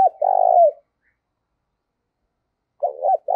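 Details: Spotted dove call used to spark fighting and as a decoy: the tail of a long sustained coo, a silent gap of about two seconds, then two short coos starting the next phrase.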